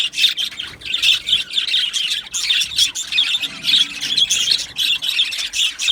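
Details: Budgerigar colony in an aviary on 12 July 2025, a flock of Australian budgies chirping in bursts: high chattering phrases swell and fade roughly every half second, with squeaky notes layered over one another.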